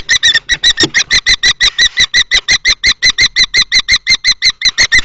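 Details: Common kestrels recorded up close in a nest box at Théding, France, 20 March 2024, as two males fight: a very regular series of loud, ringing shrill notes, around three per second.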